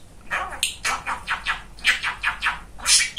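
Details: Chatty pet male budgerigar talking indoors, a rapid run of raspy, evenly spaced syllables like mimicked words, ending in a sharp high squeak.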